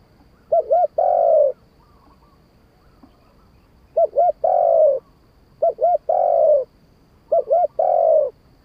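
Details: Spotted dove song of the 'kharam pa' (wild voice) style, four repeated phrases about every second and a half, each a quick double coo then a drawn-out mellow coo, low-pitched against a quiet background.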